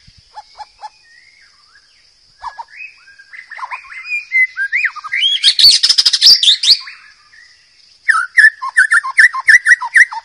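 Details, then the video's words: Wild white-rumped shama singing as tutor material for young birds: soft scattered notes and a steady high insect-like whine, swelling into a dense burst of harsh and whistled phrases, then rapid chattering notes. "MASTERAN MURAI BATU DIALAM BEBAS"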